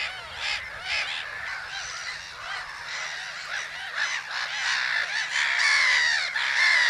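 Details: Black-headed gulls at Haaksbergerveen, Twente, Netherlands, in a noisy chorus of harsh, rasping, overlapping calls, about two per second, rising and falling without pause.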